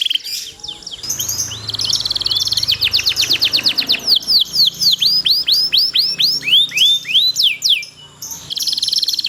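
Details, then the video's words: Canary song meant for tutoring other canaries to sing long and steadily: a short chirpy opening, then a long series of swooping downward-slurred notes about four per second, ending after a brief pause with a buzzy phrase. "cuit cuit ceer suara kenari ini ampuh buat masteran segala jenis burung kenari jadi gacor panjang"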